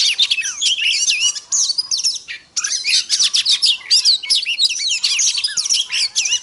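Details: Female Oriental magpie-robin, a voice to fire up male birds: loud, crowded chatter of whistled slurs and sharp chirps, briefly interrupted near the middle, then resuming just as densely.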